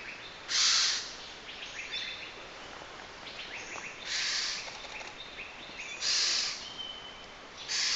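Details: Asian barred owlet in Kaeng Krachan National Park, Thailand: four harsh, hissing bursts about every two seconds, with faint high chirps from other small birds.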